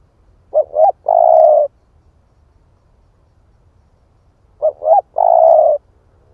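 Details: Split-breast spotted dove calling to lure other doves, giving two phrases about four seconds apart, each a pair of brief rising notes leading into a long low coo; nothing else audible.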